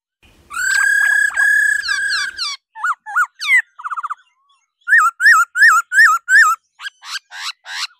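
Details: A female laughingthrush 'ro ro' sings to stimulate males. Sustained harmonic whistles give way to sharp rising flicks and a quick buzzy rattle. A row of six identical looping, wavering notes follows, then thin high ticks.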